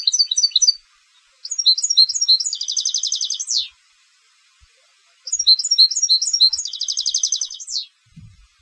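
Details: Competition European goldfinch song: two bursts of high, bright twittering notes that run into a fast buzzy trill, with a short pause between phrases. The recording is clean and has no other sounds.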